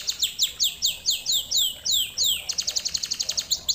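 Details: Lesson song of a canary: about ten slow, arching swept whistles that drop in pitch, followed by a quick series of short sharp chipped notes, bright and high with no other sounds.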